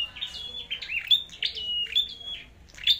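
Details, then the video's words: Short burst from a red-headed flowerpecker in competitive singing, overlapping high chips and drawn-out level whistles, continuous and busy through three seconds. "Chim Sâu Đầu Đỏ Hót Đấu"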